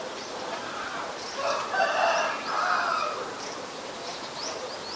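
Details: Rock pigeon (Columba livia) in Ubon Ratchathani, Thailand, 8 February 2020, gives two soft, throaty, rolling coos that swell and fade over about two seconds; faint high chirps from other birds behind.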